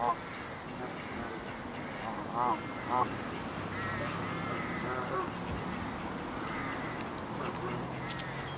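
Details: Canada geese give loud, nasal honks in short bursts over the steady murmur of a calling flock, with faint high chirps behind; birds on a pond, 22 February 2015.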